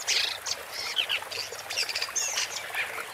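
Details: ['Woodchat shrike song, a busy run of scratchy, squeaky high notes and short warbled slurs, delivered without pause.']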